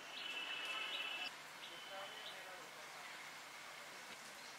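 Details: A White-throated Fantail (Rhipidura albicollis canescens) at Dhikuli, India, in November 2023 gives thin, high, sustained whistled notes with a few short squeaky accents, fading after the first second over a steady hiss.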